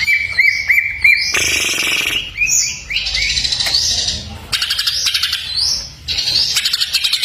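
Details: Greater green leafbird singing full fill-in ('full isian') masteran material: a few short ringing whistles, then bursts of buzzy rattles between high rising slurred phrases and rapid chattering notes.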